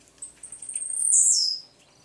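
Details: A tournament-competition male Double-collared Seedeater, recorded early morning before a tournament and said to be very fired up, gives a fast run of thin, very high chips building into a loud, slurred whistle dropping sharply in pitch.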